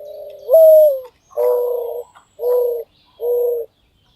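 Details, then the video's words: Eared dove, a Brazilian bird recorded in nature, giving low hollow coos: one note stepping upward, then three shorter even coos about a second apart. "Pomba Avoante"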